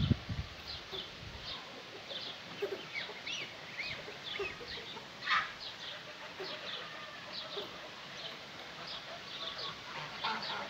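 Bright, tinkling twitters from a European goldfinch: quick high chirps and trills scattered through the whole stretch, over a low background hum.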